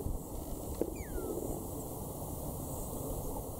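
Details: A male and female red-winged starling share prickly pear berries in the Eastern Cape, South Africa, March 2016. A single short whistled note falls in pitch, followed by a soft knock, against constant broadband noise.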